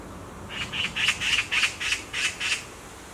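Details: Black magpie perched on a tree branch, giving eight harsh, raspy screeches in quick succession, each short and scratchy, against a quiet background.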